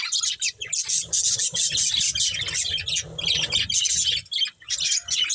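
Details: Budgerigars forming a breeding pair chatter in fast, buzzy, high twitters and squeaks, with a steady low rumbling background throughout.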